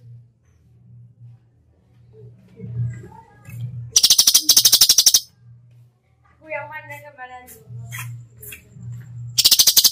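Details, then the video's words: Cucak cungkok song in 'tembakan' style: low humming background, then a loud burst of rapid dry clicks, a short run of soft warbled whistles, and another clicking rattle at the end. "masteran cucak cungkok gacor full tembakan"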